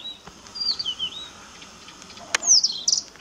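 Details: Blyth's reed warbler song recorded at RSPB Middleton Lakes, 18 June 2021: soft, wavering whistled notes dipping and rising, then a loud burst of bright, chattering high notes after a sharp click.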